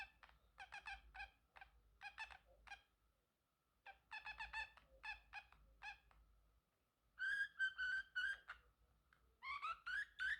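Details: Pet male Pacific parrotlet chirping and singing: staccato clicky notes in two quick groups, followed by louder, smoother, rising whistled phrases.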